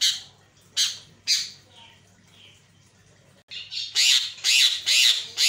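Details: Javan myna lure sound to provoke other mynas: loud harsh noisy squawks, three spaced calls then a rapid series of four or five grating bursts, about two per second, over a faint low hum.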